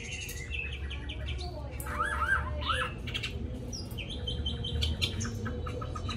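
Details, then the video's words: A tame caged Chinese hwamei with a wild-type voice, said to sing constantly, gives a varied run of loud, rich whistled phrases, slurred rising-and-falling notes mixed with quick chirps, over a steady low background hum. "họa mi thuần giọng rừng hay cực mau mỏ hót suốt móc ra là hót"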